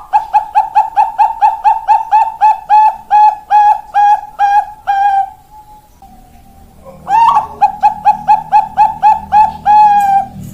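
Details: Zebra dove (perkutut), Bangkok-type singing bird in Indonesia, recorded 4 March 2023, delivers rapid rhythmic coos, about two per second, in two bursts separated by a short pause, with faint background hum.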